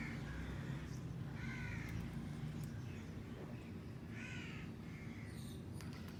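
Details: Alexandrine and rose-ringed (ringneck) parakeets, kept as pets, eating outdoors under the sky give harsh, grating squawks in short bursts a second or two apart over a steady low rumble of wind or outdoor noise.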